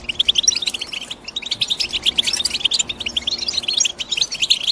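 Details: European goldfinch chirping continuously: high, quick, liquid notes strung into long twittering runs, one brief lull near the middle before the chatter resumes at full pace.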